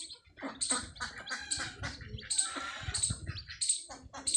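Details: Newly hatched chicks beside their Desi mother hen on a farm give rapid, high, scratchy peeps in uneven bursts, with soft low clucks and rustling underneath.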